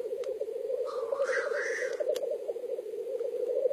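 Black grouse at a lek: a steady low bubbling, cooing chorus, broken midway by a rising, wheezy hiss lasting about a second.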